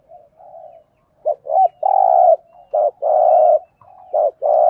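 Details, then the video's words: Spotted dove giving the 'thúc gù' cooing in the Thổ voice style, used as a decoy call for trapping: two quick clipped notes followed by a longer, deep, steady coo, repeated in phrases with soft murmuring between them. "Tiếng chim cu gáy thúc gù giọng Thổ thúc gù"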